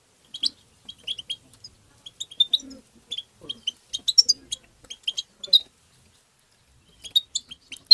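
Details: Goldfinch tabtaba calls, used to stimulate goldfinches. Scattered sharp, high chips and short twitters come in small bunches, then a silent gap of about a second and a half before a final quick flurry.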